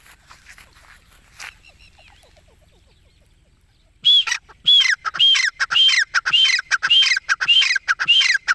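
A francolin gives loud, harsh, ringing calls about every half-second after a few seconds of near silence.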